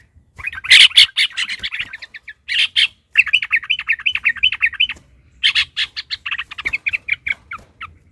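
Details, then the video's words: Yellow-vented bulbul in a long rapid 'ropel panjang' chatter, agitated and fighting, meant to provoke rivals into singing. It gives loud continuous runs of quick bright chirps in three long bursts separated by short pauses. "trucukan ropel panjang TARUNG PANCINGAN TRUCUKAN agar bunyi jadikan burung trucukan gacor EMOSI"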